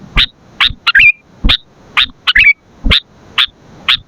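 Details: Sooty-headed bulbul for luring and training birds: sharp single chips about every half second, twice broken by a quick bubbly two-note warble, with soft low knocks beneath.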